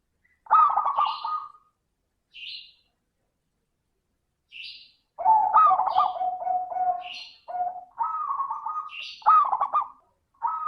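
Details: Local Indonesian zebra dove song in the clear 'crystal' voice style, used as a lure to get other doves singing; bursts of rolling, trilled coos near one pitch, broken by short pauses, with brief higher chirps between phrases.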